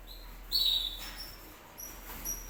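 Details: Canary giving a strong, clear whistled note followed by softer thin high tones and a few short chirps against a quiet background.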